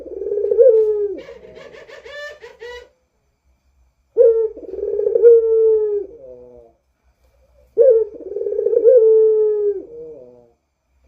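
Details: Lure recording of a lively Barbary dove in 'rintihan' style: long low moaning coos with a fading tail, repeated about every three and a half seconds, the first coo followed by a brief burst of rougher, buzzier calling.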